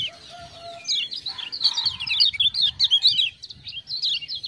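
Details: Kecial kuning, the lemon-bellied white-eye from Lombok, in continuous high twittering song after ciak-ciak prompting, quick zigzag notes running for several seconds, with soft lower whistles underneath at the start.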